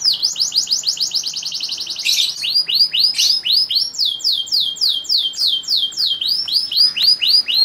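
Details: Singing male canary used to make a female in breeding condition ready to mate: a quick high trill turning into a series of loud, looping, downward-slurred whistles repeated about three times a second.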